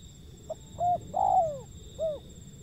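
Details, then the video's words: Wild zebra dove cooing: a tiny clipped note, a short arched coo, a longer coo that glides downward, then a final rounded coo, all soft and mellow over a low background hiss. "panggilan burung liar si pehang"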